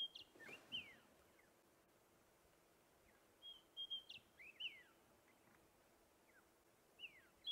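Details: White-browed scrub robin, a skulker unseen in a thicket within a mixed bird party, on a morning sunrise drive on 10 October 2016, gives high clear whistled notes with quick down-slurred flicks in short bursts over a quiet hiss.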